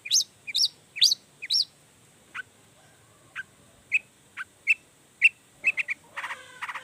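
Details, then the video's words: Long-tailed shrike singing to stir other shrikes into responding: clustered high chirps, then single sharp notes about half a second apart, ending in a buzzy, rattling phrase. "Cendet Gacor Full Emosi Bongkar Materi Bikin Cendet Lain Langsung Panas Nyaut Ikutan Bunyi"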